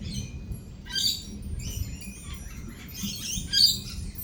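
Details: Shrill, high screeches from lorikeets at a feeding area in a thunderstorm, two main bursts about two seconds apart above a constant low rumbling background.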